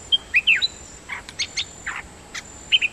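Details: Dok taeng bird decoy song: short clear whistled notes, some slurred and rising, mixed with brief buzzy bursts, delivered in quick clusters over a faint steady high hiss.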